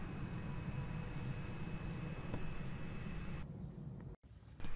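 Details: Steady low rumble of distant traffic in Hampstead, London, with a brief cut to near silence before the noise returns.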